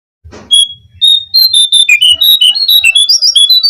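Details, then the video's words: Lure recording of a Brown-cheeked fulvetta singing: one drawn-out pure whistle, then a lively, continuous string of varied whistled notes climbing higher toward the end. "suara pancingan burung jongkangan (cingcoang coklat)"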